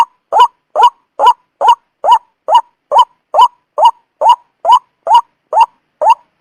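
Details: White-breasted waterhen call played to lure birds into traps; steady train of clipped, hoarse rising notes, over two per second, uniform in strength throughout.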